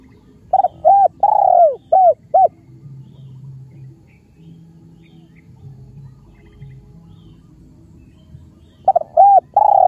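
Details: Khmer spotted dove cooing: a quick phrase of short hollow coos with one longer descending note, then about six seconds of near silence with low hum before the next coo phrase begins.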